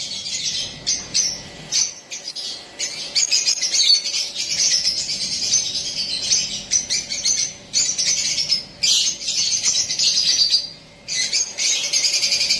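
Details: Young pet parrot calling in its natural voice: continuous raspy, hissing chatter in long bursts broken by brief pauses, with a steady faint hum underneath.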